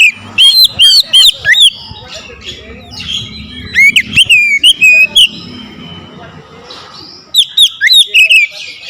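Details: Agitated oriental magpie-robin answering a rival with powerful song. Rapid strings of loud looping whistles and buzzy clicks come in three bursts, with a quiet spell of faint low murmur between the second and third.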